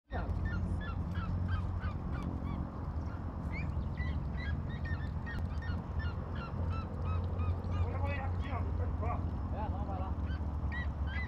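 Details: Red-legged seriema singing at a small farm, heard at a distance: a long series of short, yelping, honk-like notes repeated rapidly throughout, over a heavy low rumble of engine or wind noise, with people talking nearby.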